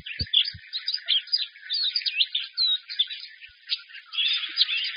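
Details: Energetic high chatter and warbling from a white-eye kept in a hand-held cage, rapid mixed twitters running continuously, with two low thumps at the start.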